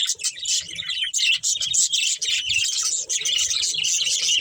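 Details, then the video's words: Budgerigar breeding pair with family, chirping busily: rapid, overlapping high twittering and squeaky notes in quick bursts, a nonstop bright chatter with brief gaps. "Beautiful Budgies Chirping Sounds"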